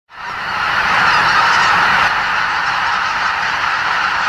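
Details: Roughly 80,000 greater white-fronted geese leaving their roost before dawn at Lake Miyajimanuma, a Ramsar wetland in Bibai, Hokkaido, during the spring stopover on their northward migration. A dense, unbroken wall of high, yelping honks rises quickly and stays loud throughout.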